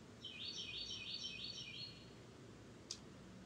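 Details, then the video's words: Bird singing in Florida: a quick run of about ten bright, high chirped notes over nearly two seconds, each note sliding down, followed by steady low outdoor hiss and a single sharp click. "Florida Birds Singing"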